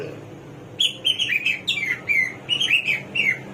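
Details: Samyong or garuwa, the hwamei praised as a bird of 1001 voices, delivers a rapid, varied string of bright whistled phrases. The notes swoop up and down with hardly a gap, following a short quiet start.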